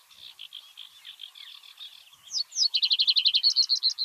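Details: Common reed bunting (Emberiza schoeniclus) singing in Uitgeest, the Netherlands: after soft buzzy chatter, a loud phrase of rapid, evenly repeated high notes runs on for about a second and a half, with a sedge warbler in the background.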